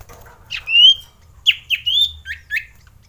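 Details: Excited male common iora (cipoh) in breeding condition, recorded as a lure to stir quiet birds: a series of sharp upslurred whistles and short squawky notes, about six phrases over three seconds.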